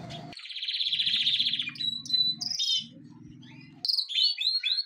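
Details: Pet birds chattering in long buzzy high trills and short whistles, with a low droning hum beneath the first half.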